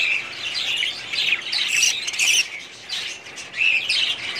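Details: A budgerigar breeding colony from 2017 keeps up a busy chorus of bright chirps and warbled squawks, several birds calling at once with brief loud peaks.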